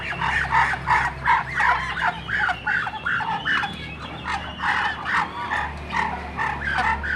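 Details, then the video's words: Duck giving loud, harsh, nasal quacks in a rapid, steady series, nearly three per second, with a low hum beneath. "suara bebek"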